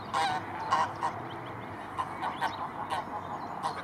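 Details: Arctic geese with their chicks in a field of white flowers, a few scattered nasal honks, some close and others more distant, against a steady hiss.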